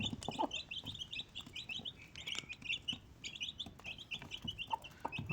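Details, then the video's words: Four baby desi chicks with their mother hen; bright, high peeping in rapid clustered notes, repeated through the clip, with soft thumps and light background noise. "Desi Chicken 1 Mother Chicken 4 Baby Chicks"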